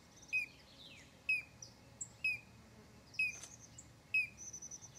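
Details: Five crisp falling notes from a collared crescentchest, spaced about a second apart, recorded in December at São Desidério, Bahia, north-east Brazil, over thin high whistles of other birds.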